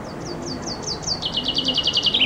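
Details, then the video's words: Common chaffinch singing loudly under a window in summer, recorded from a loggia with a compact camera: a run of high, sharply falling notes that speeds up and steps lower into a rapid rattling trill, repeated about eight times per second. "Зяблик поёт под моим окном"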